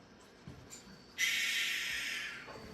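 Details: Barn owl call played back indoors during an owl talk at Jefferson County Park, Iowa, on Groundhog Day 2026: one long, harsh, hissing screech of over a second after a moment of quiet room noise.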